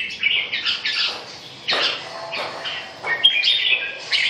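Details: Red-whiskered bulbul uttering harsher, burry warbled notes mixed with clearer whistles in quick, uneven bursts.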